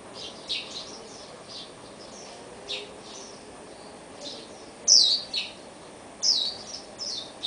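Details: After its chicks fledged, a Swinhoe's white-eye parent pecks apart the old nest to reuse the material; thin, high chirps come in short scattered bursts, with two louder sharp notes near the end over a soft hiss.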